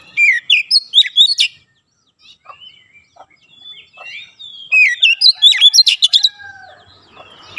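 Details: Training recording of an oriental magpie-robin for young birds, dense nembak rapat style: an opening burst of quick whistled notes, softer scattered chips, then another rapid, intense burst.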